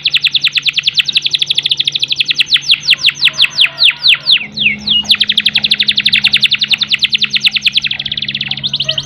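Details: Canary roll for stimulating canaries short on breeding urge: a rapid trill slowing into spaced downslurs, a short gap, then another long fast roll, with a low steady hum underneath.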